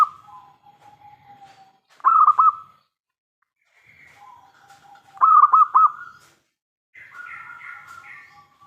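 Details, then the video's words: Local zebra dove in full, big-voiced song, played as a lure to make other doves answer. Loud cooing phrases of quick pulsed notes trail into a level hum, about every three seconds. Softer cooing from other doves fills the gaps. "PERKUTUT LOKAL GACOR suara besar - MENGUNDANG BUNYI SEMUA JENIS BURUNG PERKUTUT (PASTI NYAUT)"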